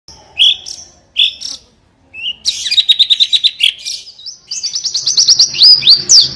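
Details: Buxton's white-eye singing in the canary-like 'tembakan kenari' style: short high chirps, then a run of rapid buzzy notes and a fast trill of sharp, high down-slurred whistles.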